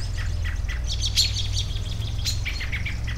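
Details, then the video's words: Birds chirp outdoors in short, high, slightly buzzy notes, one louder clear whistle in the middle, then a quick falling series of chirps, all against a steady low drone. "Bird Sounds"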